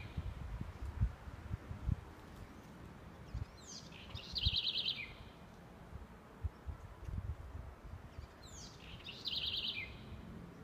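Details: Southern house wren singing in Aracaju, Brazil: two phrases about five seconds apart, each opening with a high descending sweep, then a rapid bubbling trill. Low rumbling background noise throughout.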